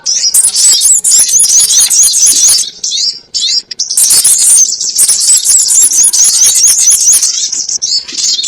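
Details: Sogon ontong lure call used for trapping: dense, high-pitched twittering chirps and rapid thin whistled notes, pouring out almost continuously in two long bursts with a brief gap near the middle.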